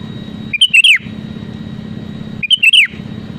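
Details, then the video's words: Sooty-headed bulbul in full song, used to provoke rivals into singing: two short bright phrases of three or four clear whistled notes, the last slurring downward, about two seconds apart over a steady low hum. "SUARA ASLI BURUNG KUTILANG GACOR PALING AMPUH MENEKAN LAWAN UNTUK BUNYI GACOR SEKETIKA"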